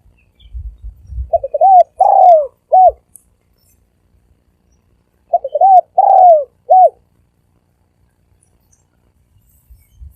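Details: Cooing of a thổ ồm vang spotted dove: two phrases about four seconds apart, each of short stuttered notes, a louder arched coo and a clipped last note, with some low knocking at the start.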